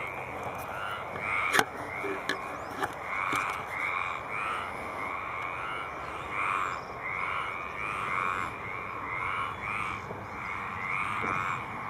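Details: Male Baillon's crake calling at Poça da Amoreira: dry, frog-like rattling bursts repeated over a steady background roar, with a few sharp clicks early on.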